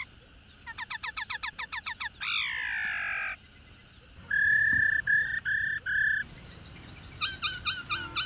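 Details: Black-throated laughingthrush (Pterorhynchus chinensis), female call: female calling to stimulate males to sing.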